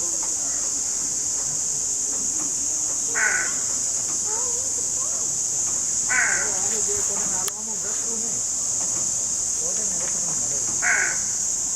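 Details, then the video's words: Crow, called crowing for attracting crows, giving three short harsh caws spaced a few seconds apart over a steady high hiss, with faint low murmurs underneath. "Crow Birds (Ravens) Sounds Crowing: To Attract Crows"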